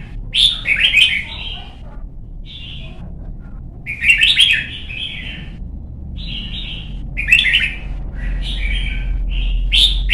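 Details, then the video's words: Young red-whiskered bulbul, kept bird, trained to sing and push toward competition singing: short bright warbled phrases with buzzy harsh notes and clearer whistled pieces, bursts every second or two, low steady hum beneath. "CHÀO MÀO | Luyện giọng má trắng chim non - Thúc chim hót hay hót đấu"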